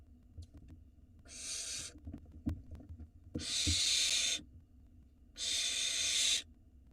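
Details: Barn owl chicks on a nest camera in Israel beg as the father brings prey, three loud breathy screeches about two seconds apart, with scraping and thuds between.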